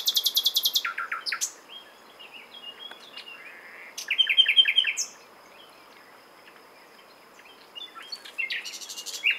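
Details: Common nightingale song: a loud burst of rapid high trills, then a pause, then a run of fast repeated notes, then a pause and a further high-pitched phrase near the end.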